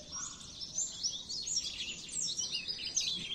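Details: Masteran recording of Oriental white-eye song for training caged birds: dense, high, jumbled twittering of slurred up-and-down whistles that runs without pause under faint hiss.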